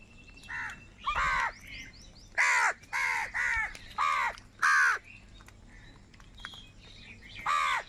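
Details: Crows from a huge gathering caw loudly in a series of harsh, descending calls, about eight in quick succession with short gaps, over a low background hum.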